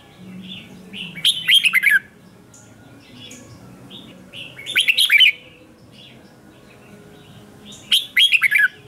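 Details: Red-whiskered bulbul in morning song training, delivering three loud, lively phrases of rapid, twisting whistled notes, each about a second long and roughly three seconds apart, with softer chirps between and faint low background noise.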